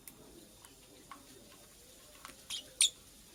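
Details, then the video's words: Purple lovebird, a female making a nest, gives two short, sharp, high chirps close together near the end, after a stretch of quiet room background with faint clicks. "Purple Lovebird Chirping Sounds - Female Lovebird Makes a Nest"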